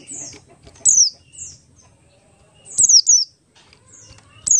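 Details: Buxtoni Oriental white-eye singing ngalas-style as a lure for other white-eyes: short clusters of very high, thin whistles, each sliding rapidly downward, separated by quiet gaps of about two seconds, with faint low rumble beneath.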